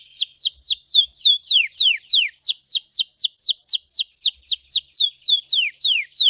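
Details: Red Belgian canary singing intensely for training: clear whistled notes sweeping steeply downward, repeated about three times a second in an even series throughout.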